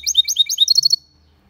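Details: Goldfinch × canary hybrid delivering a Malaga-style song phrase: quick rhythmic warbled trill of repeated notes lasting about one second, then silence with faint low hum.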